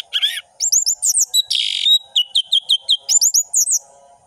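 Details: Orange-headed thrush in full-variation ngeplong song: rapid runs of sharp upslurred whistles and bouncing double notes, broken by a harsh buzzy burst, delivered almost without pause, with a faint steady hum behind.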